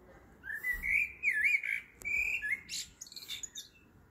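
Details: Blackbird heard singing at 7.30 pm in the evening: a sustained fluty, warbling phrase with wavering rising and falling notes, ending in several scratchy high twittering flourishes.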